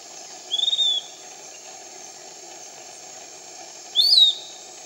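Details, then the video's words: Canopy-dwelling piratic flycatcher at Iquitos, Peru, giving two thin high whistles a few seconds apart, the first level and slightly falling, the second rising sharply then dropping, with steady insect noise behind. "Piratic Flycatcher 01 - Iquitos, Peru."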